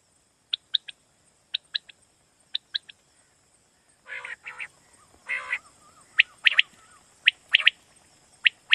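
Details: Common quail at night, giving sharp three-note calls repeated about once a second for the first half, followed by louder, rougher bursts and more clipped triplet calls.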